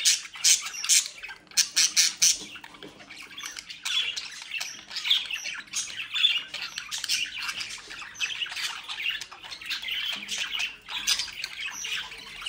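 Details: Mischievous bred budgerigars in Den Haag, Netherlands, start amid rapid clicking and fluttering, then settle into steady overlapping raspy chatter and squawks for the rest of the stretch.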